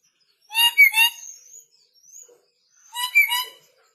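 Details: Still-aggressive red lory recently shipped from North Maluku screeches twice, each a loud grating double burst, about two and a half seconds apart, with a soft high whistle between.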